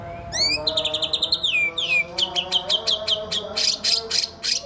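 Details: Isian song from a male white-rumped shama: a fast trill of high notes sliding down, then crisp repeated chips and loud noisy bursts, all very high-pitched and rhythmic, faint hum below.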